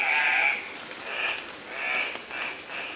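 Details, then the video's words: Displaying male Andean cock-of-the-rocks at a morning lek near Pacto Sumaco, Napo, Ecuador, 15 February 2015: loud raspy nasal squawks in pulses roughly every half second, steady forest background. "Andean Cock-of-the-Rocks at morning lek"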